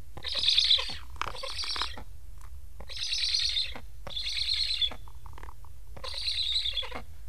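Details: Hungry Black stork chicks in an Estonian nest, fitted with transmitters, begging after parents return but fly off without feeding them; hoarse, wheezy hissing bursts about a second long, five within seven seconds, over a low steady hum.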